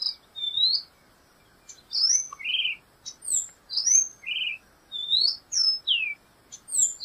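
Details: Black-goggled tanager delivering a lively series of sharp, high whistles, rising and falling slurs at a steady pace after a short opening pause.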